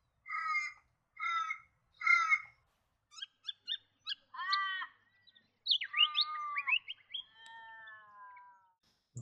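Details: An Australian raven in the New England region of NSW, Australia, gives three harsh, nasal caws, then rougher notes ending in its typically long, drawn-out, falling final wail. A few higher chirps come between them.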